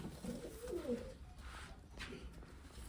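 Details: Eleven- and eight-year-old pigeons with a short low murmuring coo early on, then quieter room sounds and faint rustling.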